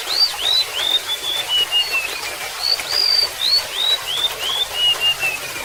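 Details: Remetuk laut, the golden-bellied gerygone, gives a run of upslurred high whistles that descend gradually, then a fresh higher series that falls again, with a splashing water backdrop.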